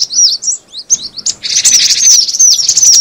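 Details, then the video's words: Cinereous tit calling for use as a lure: a few separate high twittering notes, then from mid-clip a thicker run of quick, thin downward-slurred chips. "suara pikat burung gelatik batu"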